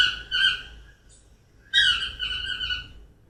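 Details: Yellow-throated Toucans ('Dios te dé') give loud, ringing yelps in two bursts of about a second each, with two or three birds singing overlapping as a group; Costa Rican tropical rainforest, Atlantic slope and South Pacific.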